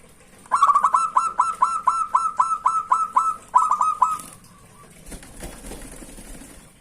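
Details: Local zebra dove gives a crisp run of about fifteen rapid staccato coos, evenly spaced and steady in pitch, a song meant to draw rivals, followed by soft rustling and low background noise.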